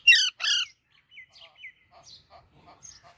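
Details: Baby Alexandrine parakeet with two loud harsh squawks at the start, then a run of soft, short, downward-sliding chirps and quiet scattered notes.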